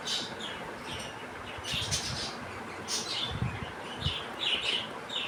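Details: Young budgerigars playing outside their cage give soft high chirps and warbling chatter in scattered bursts, with low thumps and knocks from movement.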